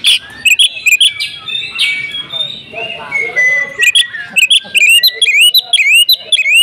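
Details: Oriental magpie-robin singing full out in fighting mood: clipped high chirps, a pause filled with softer warbling, then a rhythmic run of looping, upslurred whistles repeated several times a second.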